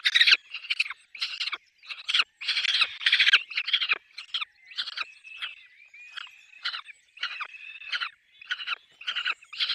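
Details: Peregrine falcon nest with chicks: grating, pulsed bursts of calls, loud at first and then more spaced, mixed with thin, drawn-out whistled squeals in the middle.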